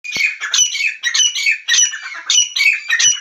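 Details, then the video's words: A partridge (teetar) gives loud, harsh, squawking notes in quick ragged bursts, about one or two each second, high and scratchy throughout, calling non-stop. "teetar ki awaaz non stop sound of teetar"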